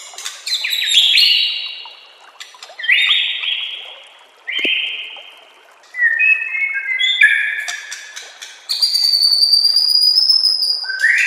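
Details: Master song of a white-rumped shama, used to train and lure birds, over nature sounds and running water: a varied run of whistled phrases, some falling, some steady and high, changing every second or two.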